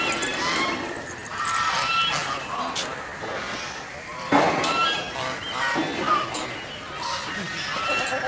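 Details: A group of geese on a pond gives frequent overlapping nasal honks and chatter, fairly continuous with no long gaps, against a busy background of noise.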